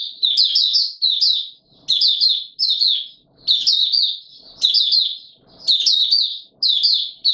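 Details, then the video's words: Warm humid weather, 20 March 2022: a Mata Puteh Raja white-eye repeats high, rapid, slurred twittering phrases about once a second, with faint low knocks between them. "Mata Puteh Raja Video 1 buka sing warm humid weather"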